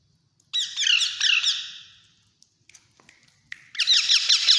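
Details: Alexandrine parakeet chicks being hand fed beg with bursts of shrill, squeaky, rising notes repeated rapidly. After a pause the chicks start up again with another burst of the same notes.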